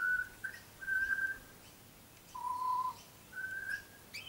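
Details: Tame young butcherbird sings sparse, drawn-out clear whistles, one pitched lower and held, separated by silences of up to a second, ending with a short rising note.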